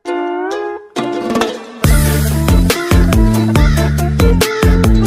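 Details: Electronic music with a heavy bass beat and synth tones; no animal calls are heard.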